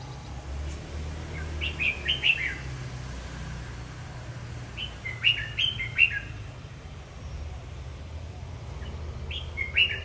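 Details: Red-whiskered bulbul singing and dancing, three short whistled, chattering phrases spaced roughly three and a half seconds apart, slightly softer, over noticeable low rumbling hum.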